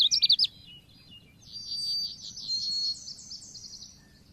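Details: Lure recording of Oriental white-eye: a brief sharp twitter, then a long descending series of rapid, thin, high-pitched notes over faint low background hum.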